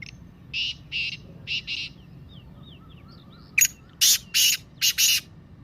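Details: Kala Teetar, the black francolin, calling. Four softer rasping notes come first while small birds twitter thinly in the background, then a loud burst of sharp, harsh notes repeated about twice a second.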